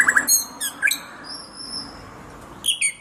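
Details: Short bursts of white-rumped shama (murai batu) song: quick ringing high notes and a downward slur, a pause with a faint thin whistle, then another pair of bright notes.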